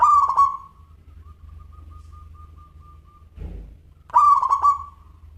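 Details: Local zebra dove singing in a 'crystal voice' style: two short rolling coo phrases, each of quick stuttered notes that merge into a held hum. A faint steady tone and a brief low thump sound between them, over a low background hum.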